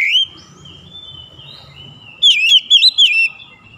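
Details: Oriental magpie-robin singing in morning sunlight: after a brief opening whistle and a quiet gap, a burst of four loud, looping whistled notes sweeps up and down, with faint low background rumble.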